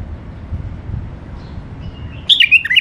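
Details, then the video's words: ['After a quiet, low-humming pause, a tame caged bulbul from a male-female pair bursts into a brief warbled whistle of several quick up-and-down notes.'] "بلابل اليفات قفص تغريد حلو"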